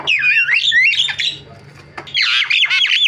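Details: Javan myna in full varied song, loud whistled phrases sliding and warbling between high notes, a pause near the middle, then a dense burst of rapid squeaky, rasping notes.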